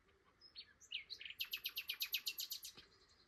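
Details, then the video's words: Early-morning nightingale song at Flowersbrook, Isle of Wight, from a bird passing through on migration after wintering south of the Sahara. A few slurred notes build into a fast, loud series of about a dozen evenly repeated piping notes. "Very rude Nightingale woke me up this morning!"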